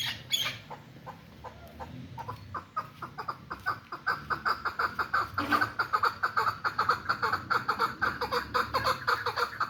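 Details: Hybrid chukar partridge, a captive bird kept for sale, in Tajikistan. Sparse notes first, then a long run of harsh, nasal chuck notes repeated about twice a second and growing louder and steadier.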